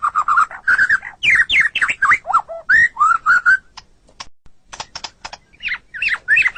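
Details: Captive-training song of a white-rumped shama: loud, varied whistled phrases with rising and falling slurs, brief pauses, then sharp high ticks and more warbles.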